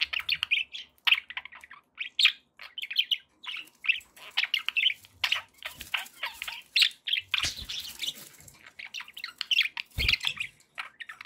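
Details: Pet budgerigars chatter continuously in rapid warbled chirps and twittering phrases, growing denser midway, with faint wing-flutter and a low thump near the end.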